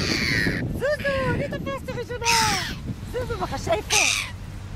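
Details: Red-billed gulls (silver gull) in New Zealand give harsh, nasal calls in quick bursts of short downslurred notes, over bursts of wind or surf noise and faint voices.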